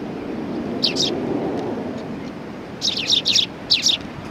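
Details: Sparrows greeting a visitor at a Tenmangu shrine, 18 September 2020; a paired chirp early, a quiet stretch with low rumbling background, then a cluster of five quick, high twittering chirps.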